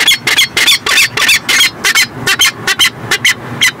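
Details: Peregrine falcon at a nest in Montreal, Canada, recorded in 2017, giving a long run of harsh, rasping notes, about five per second, fairly steady throughout, with faint low rumble beneath.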